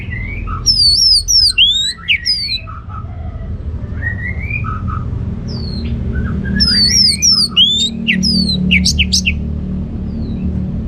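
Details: Orange-headed thrush in North Bali, Singaraja, in loud full song. Rapid bursts of sharp, high, sliding whistles and chirps come in two dense phrases separated by softer warbled notes, with a steady low hum behind.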